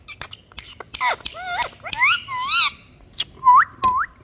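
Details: Pet rose-ringed parakeet, a ringneck kept as a pet, gives a string of squawks, wavering whistles and rising chirps, interspersed with sharp clicks.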